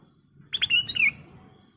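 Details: Ruby-throated bulbul (kutilang emas) in lively 'gacor' song, used as a lure for caged birds: two quick sharp chirps, then bright slurred whistles sliding downward, a phrase under one second, over a faint low rumble.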